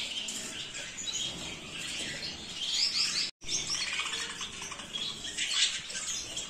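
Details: Zebra finch (Taeniopygia guttata) calls: a dense, continuous chatter of short, high chirps that overlap one another and suggest several birds, with a brief gap of silence midway through.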